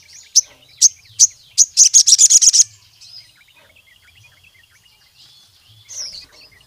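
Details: Sooty-headed bulbul singing to provoke rivals and draw other birds into song: four sharp high chips spaced about half a second apart, then a fast rattling run of buzzy notes, a thin whistle and one late rising note.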